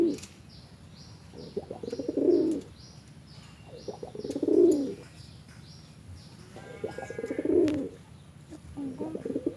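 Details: Sireng and brontok pigeons coo in the ngorok, snoring style. Three low, guttural phrases come about every two and a half seconds. Each starts with stuttering pulses and rises into a sustained rumbling coo. Soft repeated high chirps are heard in the background.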